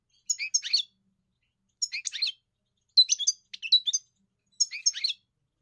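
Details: European goldfinch singing, four short bursts of high twittering notes spaced about a second and a half apart, clean quiet background.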